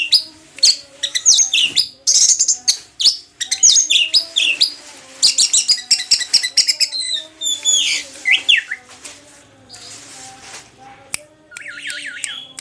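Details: Orange-headed thrush song recorded after the moult: dense bursts of high chirps and whistled sweeps, varied phrases tumbling one after another, ending in a run of quick wavering notes.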